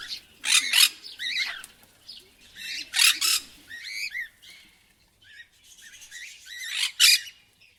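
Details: Harsh parrot screams alternate with warbling, wavy chatter in uneven bursts, loud broad shrieks recurring every couple of seconds between softer modulated notes.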